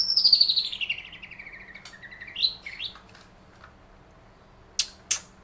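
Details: Long-tailed shrike imitating a lovebird: a long, high, shimmering whistle that slides steadily downward, followed by a few short squeaky notes, a quiet gap, and three sharp, harsh bursts at the end.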